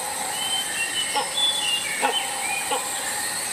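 Toucan giving three short, hoarse, yelping croaks about a second apart, over thin high whistles from other birds and a steady hiss.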